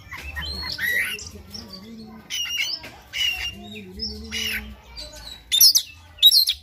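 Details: Morning Oriental magpie-robin song meant to stimulate other birds to sing: scattered chirps, harsh notes and short whistles, with a steady low tonal hum in two stretches, ending in loud bright whistled bursts.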